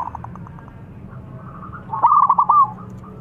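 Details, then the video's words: Local zebra dove answered by a rival: faint pulsed notes, then one loud bubbly burst of quick rolling coos lasting under a second, over low background noise. "PERKUTUT LOKAL GACOR MEMANGGIL SEKALI DENGAR LAWAN LANGSUNG NYAUT"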